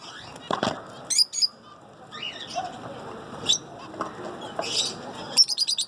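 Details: Zebra finches calling: scattered short, nasal, harmonic-rich chirps and clipped bursts, some close and loud and others faint, separated by brief quiet gaps against a low background hiss.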